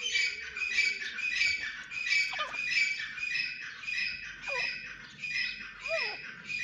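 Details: Partridge, called Irani teetar, calling steadily in dense, harsh, high chattering bursts, with a few downward-curving notes from about two seconds onward.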